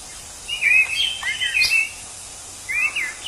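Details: Orange-headed thrush singing in the wild: a tumbling run of clear, slurred whistled notes followed by a shorter phrase, over faint insect hiss.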